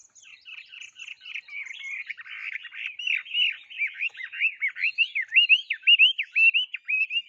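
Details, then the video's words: Songbird singing loudly and continuously: jumbled chattering notes give way to a clear series of rising and falling whistled phrases, repeated roughly twice per second and building in strength toward the end. "chim hót thế này thì đấm với đã cái gì"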